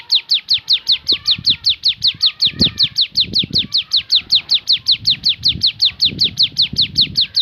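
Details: Javan sunbird singing the shooting variation: a very regular series of high, down-slurred notes, about two and a half per second, over soft low background rumbles.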